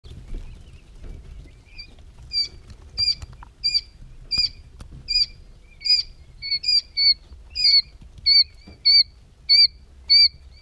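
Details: Three-day-old quail chicks peeping: high, clean double-toned peeps, starting sparse and becoming a steady series about two per second, with soft rustling underneath.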